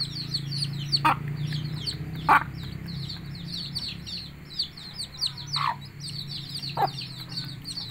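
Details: Food call of a hen summoning her chicks to eat: a few brief, broad clucks scattered irregularly over eight seconds, over a dense background of high rhythmic chirping and a low droning hum.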